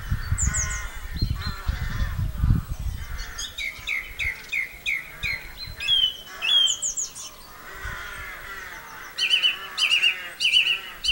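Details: Song thrush in song at Campbeltown, April 2012, delivering varied whistled and chattering phrases, several repeated two or three times, ending with a triple repeated note; low rumbling noise at the start.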